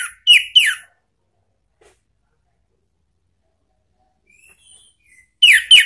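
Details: An orange-headed thrush gives lure song (pancingan ngeplong) to draw a reply from a pet bird: two or three loud downslurred whistles, a long quiet gap with faint thin notes, then more downslurred whistles.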